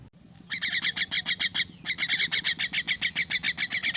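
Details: Orphaned, crippled myna being hand-fed, giving rapid harsh begging calls repeated about four times a second, broadband and buzzy, with a short pause midway; a faint low hum runs underneath.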